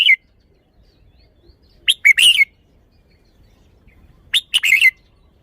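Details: Caged red-whiskered bulbul showing its song phrasing: a short bright note, then two quick phrases of clipped, high whistled chirps, each phrase lasting about half a second.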